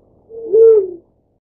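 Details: Black-chinned fruit dove feeding its chick; a single low, mellow hooting coo that swells then fades, lasting about three quarters of a second, with silence after.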